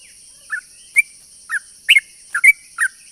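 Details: Lure song of a sooty-headed bulbul to attract its kind: sparse, irregular whistled chirps and short double notes roughly once a second, set against a steady high-pitched background hum.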